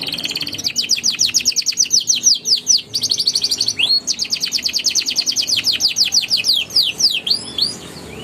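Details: Young canaries are meant to learn from this canary song: long fast rolls of repeated falling notes, broken by a brief slur, resuming as an even trill of about six notes a second.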